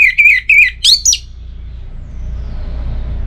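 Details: Orange-headed thrush song: a few short warbled notes, then two bright rising whistled sweeps climbing steeply, followed by quiet room hum.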